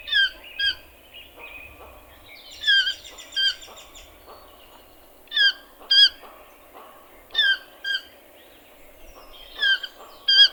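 A toucan gives loud, yelping double notes repeated every one to two seconds, over a faint murmur of other birds.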